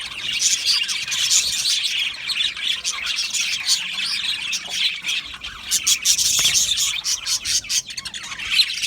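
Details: Many budgies in an aviary colony sing and chirp at once: a thick, bubbling stream of high tweets and rasping warble notes that swells and dips in loudness.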